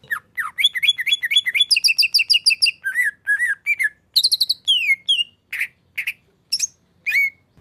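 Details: Caged male greater green leafbird from Indonesia in a rapid, varied song: fast trills of bright repeated notes, then a stretch of sharp chirps, downslurred whistles and loud rising slurs with short gaps between them.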